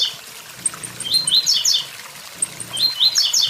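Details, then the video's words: Blue-black grassquit singing beside a waterfall: brief high buzzy bursts of sharp up-and-down notes, two phrases about a second and a half apart, against a constant wash of falling water. "Tiziu tui tui zel zel"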